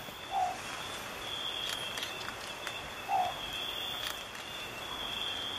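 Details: Long-whiskered Owlet near Abra Patricia at Fundo Alto Nieva, northern Peru, March 2014. A short, mellow, low note is heard twice, about 2.7 seconds apart, against a continuous thin insect whine and faint background clicks.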